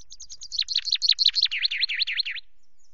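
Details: Chaffinch singing from a camera perch at Loch Garten, 24 May, 17.02: accelerating high chips fall into a rattling series of repeated swooping notes, then stop abruptly, with nothing else audible.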